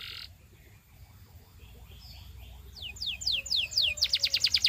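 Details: Belgian canary singing: quiet, low-level background at first, then from the middle a series of loud downward-sweeping whistled notes, ending in a fast, buzzy, pulsed trill.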